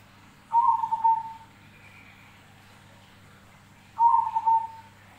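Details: Zebra dove song: two soft whistled, slightly trilled notes about three seconds apart over a quiet low background hum.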